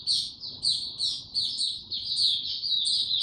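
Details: Short burst of song from a kept white-eye on 29 April 2022, no supplements given: rapid, high chirped notes repeated almost twice a second, over a soft background rumble.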